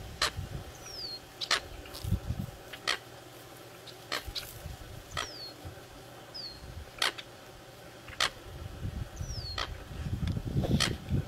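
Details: Eurasian coot giving short, sharp, explosive calls repeated about every one to one and a half seconds. Another bird's thin, descending whistles come in between, over low rumbling background noise.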